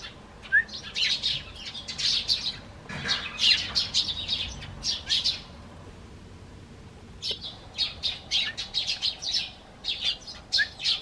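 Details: Eurasian tree sparrow on a garden bench, calling to the person stepping out the front door: lively runs of bright, sharp chirps, several each second, in two bursts broken by a short pause.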